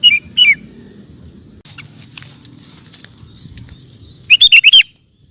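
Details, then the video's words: Sooty-headed bulbul song recorded as training material for cage birds: two short slurred whistles at the start, faint scattered chirps through the middle, then a burst of five rapid bubbling whistled notes at the end. "Suara Burung Kutilang Gacor Cocok Untuk Masteran"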